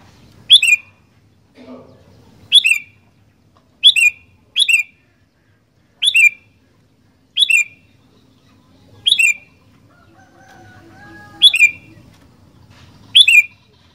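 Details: Sooty-headed bulbul singing actively, giving short bright phrases of two or three quick notes that fall from high to mid pitch, repeated roughly every one to two seconds, with a faint low hum underneath.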